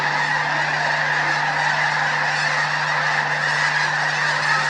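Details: Huge flock of snow geese lifting off together in the morning at Bosque del Apache, a steady roar of countless overlapping honking calls with no pauses, loud and even throughout.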